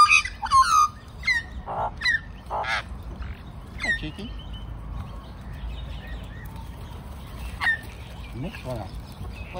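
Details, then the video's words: Magpies from a big flock of several families sing near the man who feeds them. A few loud warbled and whistled notes open, then quieter scattered calls follow with background voices. "Magpie Army Serenades Old Man"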